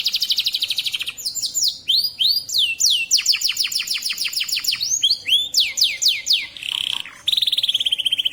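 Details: Local canary in full, constant song: varied phrases of rapid trills and repeated downward-sweeping whistles, changing pattern every second or so, ending in a fast buzzy rattle.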